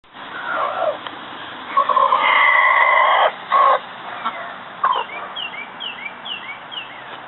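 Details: Rooster calling his hens to scratch feed: loud, harsh, harmonic clucking calls with a longer burst mid-way, then quieter clucks, while small birds give short, descending whistled chirps in the background.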